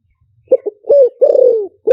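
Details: One liu tan phrase from a spotted dove used as a decoy singer: two soft quick coos, a rising-falling coo, a long quavering downward coo, then the start of a last note.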